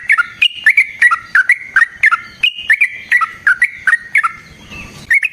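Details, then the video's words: Energetic sooty-headed bulbul song used as a lure for other bulbuls: clear bubbling whistled notes at varied pitches, delivered in quick pairs and triplets, about fifteen bursts in steady succession, with a brief rustle near the end. "Burung TRUCUKAN GACOR Ropel Panjang Cocok untuk PANCINGAN Trucuk bahan dan MASTERAN Burung Trucukan"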